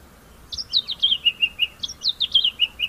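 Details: White-browed scrub robin repeating its own variant phrase: a quick run of high, slurred whistles stepping down in pitch, given twice in under three seconds, clear against quiet background.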